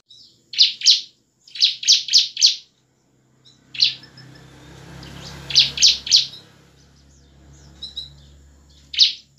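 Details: Bar-winged prinia song of the ngebren and nembak kind, used to make idle birds sing; runs of four quick piercing chirps, with a low hum underneath in the middle.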